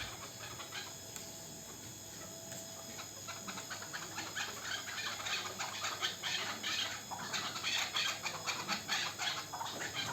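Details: Chukar partridge of the local stock, hatched last year, calling softly at first and then in rapid chattering bursts that grow louder over the final seconds, set against a hissy background.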